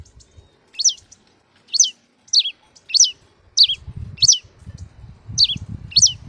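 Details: Cravina, or red-cowled cardinal, delivering clear descending whistled phrases about once per second, each a sharp downward slur. A low rumbling background noise grows in the second half.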